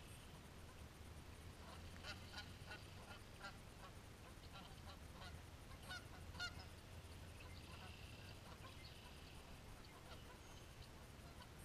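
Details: Several geese fighting, a scene rarely witnessed, give a scattered run of short harsh honks and squawks throughout, some overlapping, over a steady low rumble and background hiss.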